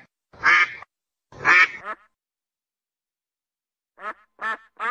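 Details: Duck at a pond with a duckling: two loud raspy quacks with a trailing short one, a long silence, then three softer clipped quacks.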